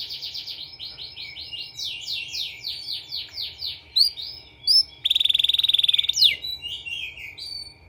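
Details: Canary therapy song for training canaries: varied phrases of soft downslurred notes, a few sharp high chips, then a loud steady buzzy trill held for about a second, ending with a sweeping note.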